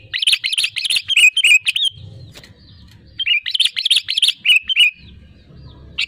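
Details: Song of a sooty-headed bulbul played to draw in and set off other birds: two long runs of fast chattering bright notes, each lasting nearly two seconds, separated by a quieter gap with low background rumble.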